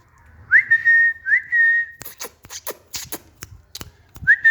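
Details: Tame green parrot perched on a stand in a garden whistles two upswept, steady notes, then a run of tapping and clicking sounds, then one more whistle.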